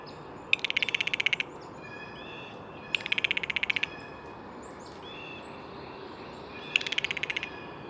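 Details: Blue jay with three rapid dry rattles spaced about two to four seconds apart, soft distant chirps and whistles in the background.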